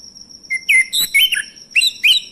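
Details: Male orange-headed thrush song played to spur silent birds to sing: quick bursts of rich whistled and chattering notes, rising and falling slurs in five short phrases, with a constant high background tone.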